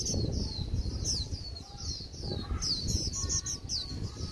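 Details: Japanese white-eye, newly wild-caught, end of season, giving a flat, dull 'líu' twitter: series of high descending whistled notes over steady low-frequency background noise.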